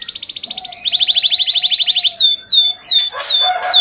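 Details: Canary song meant to spur canaries into singing quickly: a buzzy rapid trill, a second faster rattling trill on a higher note, then loud sweeping downslurred whistles with a short burst of harsh noise.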